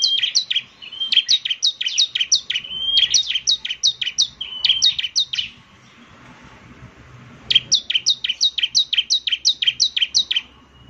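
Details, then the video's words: Bar-winged prinia, known locally as ciblek semi, in lively song: bursts of quick, thin, high chirps sliding downward, a two-second silence midway, then the rapid chirping resumes. "ciblek semi gacor, SEKALI putar saja ciblek semi PASTI ikut bunyi nyaut"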